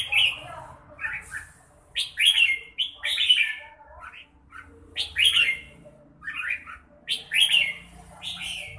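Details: Red-whiskered bulbul delivering loud, chirpy warbled phrases in bursts about every one to two seconds, each phrase a quick tumble of rich whistled notes, with a soft low background hum.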